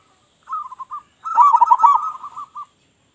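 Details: Loud local Zebra dove lure song: a short stuttering coo of three or four notes, a pause, then a longer, louder rolling trill that tails off into a few separate notes, ending in silence.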